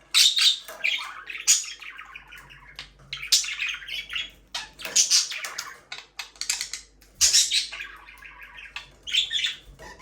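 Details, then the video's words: Pet budgerigars chirping, played for a lonely bird: dense bursts of bright chattering chirps and warbles, some squawky, coming in clusters every second or two with short quiet gaps between. "Bird chirping sounds relaxing"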